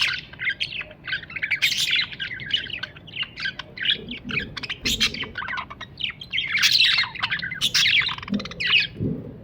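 Budgerigars chatter in quick, scratchy chirps and warbles, a busy overlapping stream of high notes.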